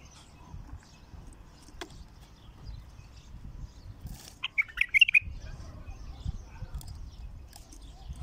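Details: Wild-caught bulbul singing for the first time: one short burst of rapid warbled notes midway, surrounded by quiet low background rumble.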